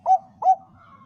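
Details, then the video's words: Bangkok-type zebra dove song used as a lure to make other zebra doves sing: two short, soft mellow coos about a third of a second apart, followed by a faint thin whistle. "suara perkutut bangkok - pancingan paling ampuh untuk semua perkutut bangkok agar gacor"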